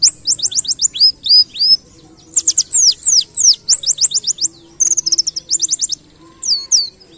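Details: Canary-like 'kenarian' song of a white-eye, delivered in several rapid bursts of sharp, high, sweeping whistles separated by short gaps, with a quick buzzy trill near the middle. Low steady hum in the background.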